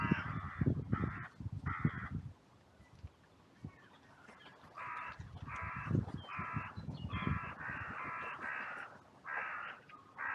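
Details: Cemetery crows in an outcry after two fought, others flying in from all directions: repeated harsh caws in bursts, a quiet gap, then a rapid series of caws, with low rumbling noise.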